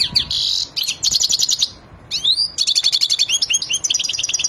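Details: Wadani European goldfinch in a mating frenzy sings hurried, high twittering phrases. A buzzy churr and downward-swooping whistles lead into dense, rapid chattering trills after a brief pause near the middle.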